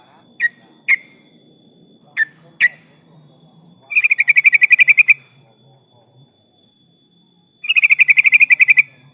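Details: Yellow-vented bulbul calling to a rival, played as a lure to draw answers: four sharp separate chips, then two fast rattling trills of about a dozen bright, even notes each.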